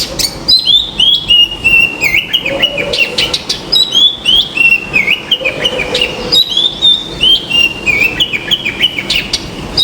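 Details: Common myna calling from a balcony: a busy, repeated series of bright whistles and chirps, some slurred downward, some clipped and squeaky, about three phrases a second, with a low murmur underneath.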